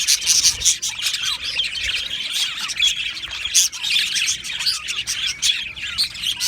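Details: Aviary colony of budgerigars, said to be happy, producing a thick wall of chirps, squawky notes and rapid warbles that overlap throughout, with sharper bursts near the middle.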